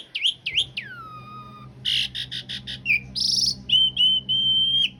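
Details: Training song of an Asian pied starling, rough filling with long rolls: two sharp whistled notes, a long falling whistle, then pulsing buzzy rolls and a drawn-out steady whistle, with a low hum underneath.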